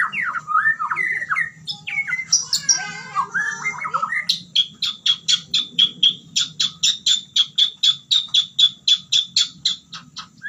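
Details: White-rumped shama singing in fighter style, opening with varied whistled and harsh phrases, then shifting to a steady rapid series of sharp repeated notes, about four per second.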